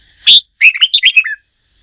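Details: Red-whiskered bulbul, wild-caught and in training for song contests, sings one strong high note and then a rapid chain of six or seven liquid whistled phrases ending on a lower slurred note.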